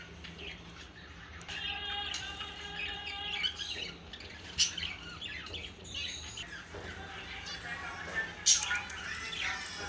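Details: Finches singing: squawky nasal notes with buzzy harmonic tones, scattered sharp chirps and twittering, a few louder squeaks standing out in a busy indoor-sounding chorus.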